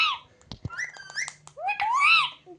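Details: Rose-ringed parakeet talking and mimicking words: squeaky, speech-like phrases with rising and falling whistled tones, two longer arching whistles near the end and brief clicks between them, in a small room.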